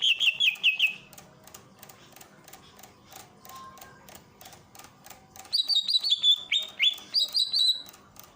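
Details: Greater green leafbird from Ujung Kulon singing over a flowing water fountain: short rapid whistled trills open, a pause with only water and clicking, then bright repeated whistled phrases return.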